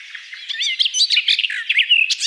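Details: A garden warbler (Sylvia borin) sings a rich, hurried warble of fast liquid notes and short slurred phrases, running continuously with no pauses.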